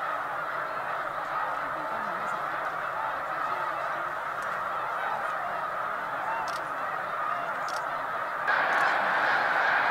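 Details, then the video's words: Hundreds of thousands of snow geese gathered at Middle Creek in Lancaster County, Pennsylvania, during their mid-February to mid-March migration; a dense, continuous wall of overlapping honking calls from the massed flock, swelling louder near the end. "Middle Creek Snow Geese Migration in Pennsylvania"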